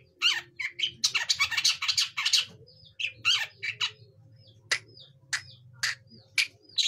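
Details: Young long-tailed shrike learning to sing: bursts of harsh, scratchy squawks mixed with short chattering notes and brief pauses, over a low steady hum.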